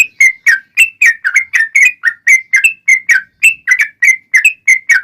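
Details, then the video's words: Lure song of the yellow-vented bulbul for drawing other bulbuls into singing: a lively string of short liquid, slightly slurred notes, about four every second, clean with no background. "trucukan gacor TARUNG ROPEL PANJANG pancingan trucukan agar bunyi JADIKAN burung trucuk gacor NYAUT"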